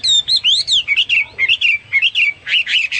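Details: Hwamei singing fast, varied whistled phrases: high slurred notes, dipping and rising warbles repeated almost twice a second, with a brief bright flourish at the end.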